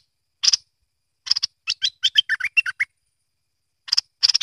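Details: A bulbul, called merbah lekir or kuning, utters a rough note, then a rapid descending series of about ten clear chirps, followed by harsher buzzy bursts at the end.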